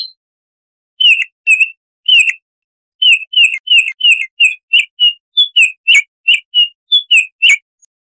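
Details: Baltimore oriole, offered as a clear wild-sounding bird of the forest, giving a run of short, sharp chattering notes. After a few opening notes and a pause, they come about three per second in a steady series. No other sounds are heard.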